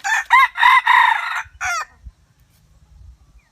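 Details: Rooster crowing: a harsh, multi-part crow with short rising opening notes, a long held middle note and a falling final syllable, over in under two seconds, followed by faint low rumbling background noise.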